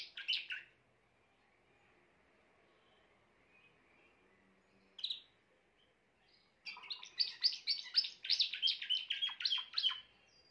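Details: A grey Timbrado canary gives a short chirp, a long quiet gap and another chirp, then launches into a fast, rich rolling trill of bright warbled notes lasting several seconds.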